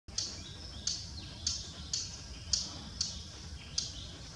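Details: Thick-billed warbler calling continuously from bushes in Buxa, India, where it is abundant: a sharp, dry, clicking note repeated about every half second, nine times, over faint low background rumble.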